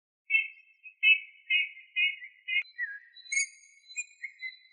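A Eurasian bullfinch pipes soft, fluty whistles: five even notes about half a second apart, then lower, wavering and sliding whistled phrases. Nothing else is heard.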